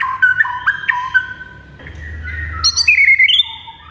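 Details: White-rumped shama (murai) master song: short whistles alternating between two pitches with ticks, a quiet gap with low hum, then high sharp notes and a slurred falling whistle.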